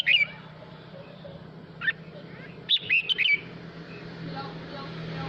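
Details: A male red-whiskered bulbul sings to gather the flock, giving lively whistled phrases at the start, a lone note near two seconds, then a rapid cluster of three or four bright warbles, with a low background hum.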